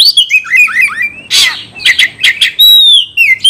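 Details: Fighting-style song of an Oriental magpie-robin, fast descending whistled phrases followed by a loud harsh rasp, then clipped chirps and a long clear falling whistle.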